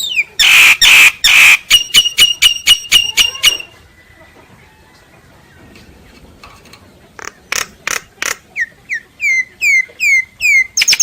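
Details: Common myna song that opens with loud, harsh repeated notes, falls nearly silent for several seconds, then resumes with a series of high down-slurred whistles repeated about every half second.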